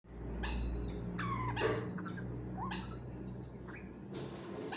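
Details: Grey parrot chicks during hand feeding in Kakinada. Harsh, scratchy calls with whistled upper tones, rising then falling, sound about once a second, four in all, over a steady low indoor hum.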